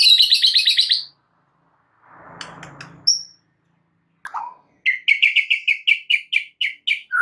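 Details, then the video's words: White-rumped shama singing vigorously for a training recording aimed at other caged shamas: a rapid high trill, a soft rustle, a falling slur, then a quick series of a dozen sharp repeated notes. "MASTERAN MUTAI BATU GACOR , 3 DETIK SAJA DIJAMIN NYAUT SEKETIKA"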